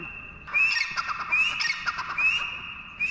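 A partridge gives harsh, rising squawked notes about once a second over a steady high-pitched whine.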